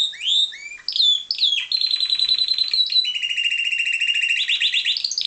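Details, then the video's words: Song of a captive-bred pied Timbrado canary: opening whistled sweeps, then a sustained high rattling trill that drops to a lower rolling tour and climbs again into rapid bright notes. "Timbrado canary"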